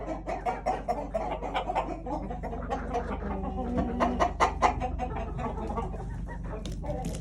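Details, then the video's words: Several agitated chickens clucking continuously in rapid, uneven bursts, possibly after a sneeze, over a steady low hum and background noise. "Chickens clucking upset, did a sneeze set it off?"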